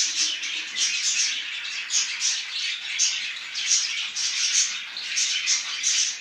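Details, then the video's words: Several parrots calling together in the morning: high, scratchy twittering and quick chirps that pulse in bursts about twice a second, forming a constant lively chorus. "Утро начинается у попугаев."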